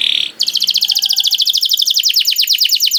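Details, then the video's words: Canary bait song meant to prompt other canaries to sing: a brief harsh buzz, then a long rapid rolling trill of repeated notes that slows into distinct downward-swept notes. "Makes Emotions When Hears the Sound of a Canary One, The Most Powerful Bait || Voice of Canary"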